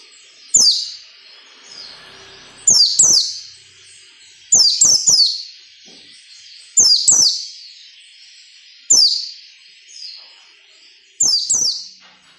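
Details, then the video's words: White-eye, used as training audio for captive birds; brief high, sharp descending chirps given in short bursts about every two seconds, with faint softer notes between and a low background hiss. "SUARA PELECI NGALAS NEMBAK SERTANDAR UNTUK MELATIH PELECI AGAR CEPAT NAGALAS NEMBAK"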